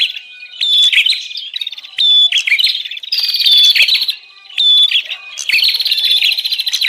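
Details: Bar-winged prinia 'ribut' lure call for luring wild birds: loud, shrill rattling trills in bursts roughly every second or two, mixed with thin whistles and brief pauses.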